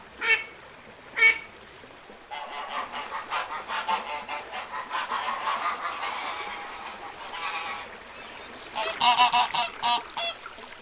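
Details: Little ducks calling: two loud separate quacks, then a busy chorus of overlapping nasal quacks that ends in a burst of louder calls.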